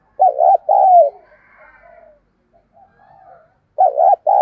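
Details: Decoy spotted dove in an excited cooing bout: two low, mellow two-part coo phrases about three seconds apart, separated by soft, quiet notes and faint higher chirping.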